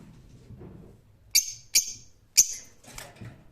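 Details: Rose-ringed parakeet giving three loud, shrill screeches and a fainter fourth call over a low, rumbling background noise.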